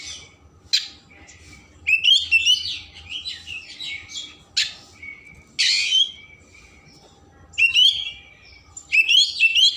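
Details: Singing Oriental magpie-robin, song meant to excite emotion and tail opening, delivering repeated loud phrases of sharp notes and fluid whistled warbles every two to three seconds, with quiet gaps and low hum beneath.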